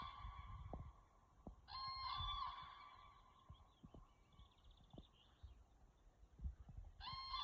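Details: Crane giving loud, trumpeting, rattling calls in two short bursts, one near the start and one at the end, over steady low rumbling wind noise.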